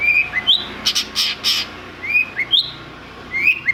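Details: A long-tailed shrike, answering a lure song, sings short, sharp rising whistles and chips in quick pairs, with a burst of harsh buzzy notes between them.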